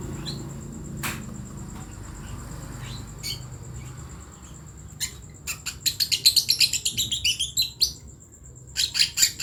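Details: Young lovebird chick learning to make sounds; a few scattered clicks at first, then a dense run of high, scratchy chirps over the last few seconds, with a steady high whine in the background.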